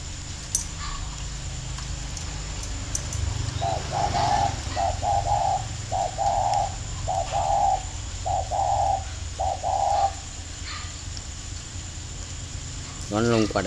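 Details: Two caged decoy spotted doves, four years old, dueling in Ba Vì, Hanoi, Vietnam, June 2018: a run of about seven hollow coo phrases, short note then drawn-out quavering note, repeated roughly every second, with low rumble and a brief voice at the end.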